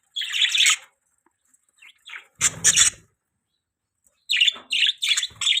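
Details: Budgies giving short bursts of high, scratchy chirps separated by silences, a cluster at the start, one in the middle and a quick series of four at the end.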